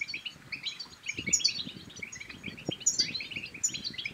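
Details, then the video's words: European goldfinch singing to prompt silent goldfinches into song and mating: a continuous cascade of quick high tinkling notes with a few sharper piercing chips, and faint low knocks in the background. "بتبتات الحسون بتبتة تنطق اي حسون كان صامت سيغرد"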